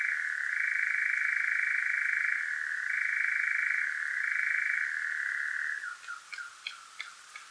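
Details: European nightjar at night in Devon, South West UK, parabolic microphone and Zoom H5: a shifting churring trill for about six seconds that stops abruptly, followed by a few short, sharp notes.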